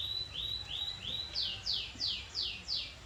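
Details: Canary song, fairly quiet: a high whistled tone followed by a series of about six downward-swept slurred notes, evenly repeated about every third of a second, with light background hiss.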